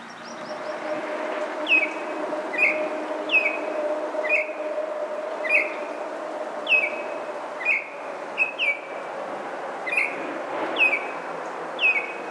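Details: Baltimore oriole singing in Maynard, Massachusetts, on May 9, 2023: short, bright, down-slurred whistled notes repeated roughly once a second over a steady low mechanical hum.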